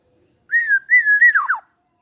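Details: A single clear, mellow whistled phrase from a 21-year-old black-naped oriole: a smooth fluted note, a brief pause, a second wavering whistle, then two rapid descending slurs. Otherwise quiet.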